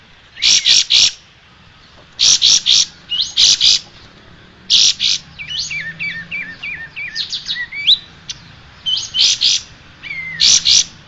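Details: Striated grassbird song recorded as a tutor for cage birds. Loud clusters of sharp chirps repeat every second or two, with thin rising and falling whistled notes between them, over steady low background noise.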